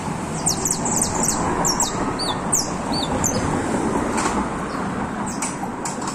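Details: A criollo canary, getting firm in its song, gives quick, high, sweeping chirps and short trills in a burst, then sparser notes, over a steady broad background hiss.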